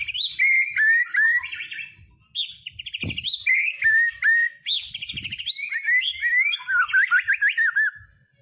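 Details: White-rumped shama from tropical forest sings continuous loud, varied whistled phrases with slurred swoops and fast trills, interrupted by a couple of brief low clicks.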